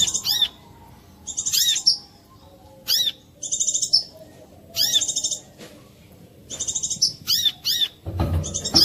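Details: Clear lure song of a brown-throated sunbird, used to prompt other sunbirds to sing: repeated phrases of high arched chirps and quick buzzy trills, spaced by pauses of about a second, ending with a low rumble.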